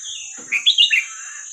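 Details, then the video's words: Red-whiskered bulbul, hua krok khayao khuat song style played for young birds to learn: a single rapid phrase of four or five bright, warbling whistled notes jumping up and down, above a thin steady whine. "เสียงนกกรงหัวจุกเพลงหัวครกเขย่าขวด เปิดสอนลูกนก"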